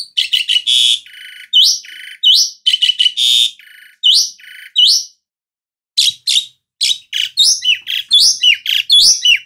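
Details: Loud varied singing of an Asian pied starling: rapid harsh rasps mixed with rising and hooked whistles, delivered in dense phrases at over one note per second, a brief silence midway, then busier chattering whistles.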